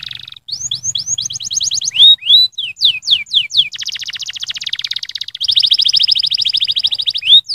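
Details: Canary singing a stimulating song meant to rouse other canaries: loud, high trills of rapid repeated notes, fast rising sweeps and buzzy rolled passages in quick succession, with a faint low hum underneath.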